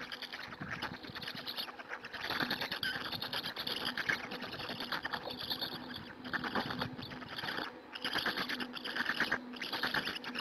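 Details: Hungarian black stork nest, adult feeding the storklets on 2 May 2017 at 14:56, live camera; near-continuous scratchy, pulsed wheezing and chattering over ten seconds, swelling in louder waves with short dips.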